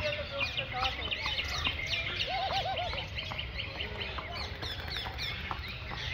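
Macaws fill the air with a dense chorus of harsh, overlapping squawks and chattering calls, with a brief wavering trill partway through and a steady noisy background.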